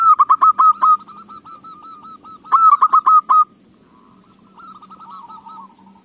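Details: Zebra dove singing as a lure for other doves: two loud bursts of quick, rhythmic, slurred cooing notes, followed by fainter, softer cooing phrases in the background.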